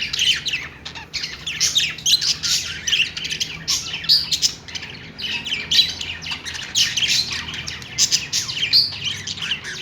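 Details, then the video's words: Budgies making happy sounds, rhythmic bursts of high, rapid chirping and squawking roughly every second, a flock chattering almost nonstop. "cute budgies making happy sound"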